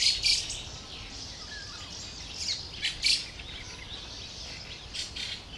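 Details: Young fieldfare waiting for its parents to bring food, recorded 20 May 2013; harsh, noisy high-pitched bursts come in short clusters near the start, middle and end, with faint background chirping between them.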